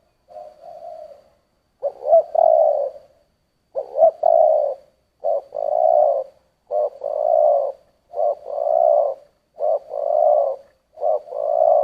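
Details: Spotted dove, "giọng thổ" style cooing: a soft opening coo, then a string of low coos, each a short clipped note joined to a longer held one, repeated roughly every one and a half seconds.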